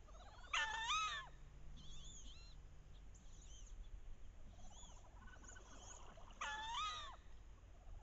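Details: Late-October mating ritual on a bayou: a wood duck hen gives two strong, wavering, rising squeals about six seconds apart, with faint thin squeaks between them while the hens chase and posture to entice drakes.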